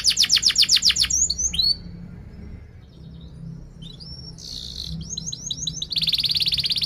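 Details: A vigorous canary sings sharp chirps and rolling phrases meant to stimulate young or silent canaries. A fast burst of repeated notes gives way to quiet, scattered whistles, then a short chattering run and a dense buzzy roll.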